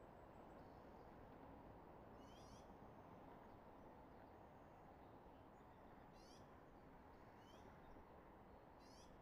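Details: Eagle calling from its nest in Redding, early morning of 24 March 2022 at 06:34, nest camera recording: several brief bursts of high, squeaky, stuttering chirps, spaced a few seconds apart, against constant low rushing noise.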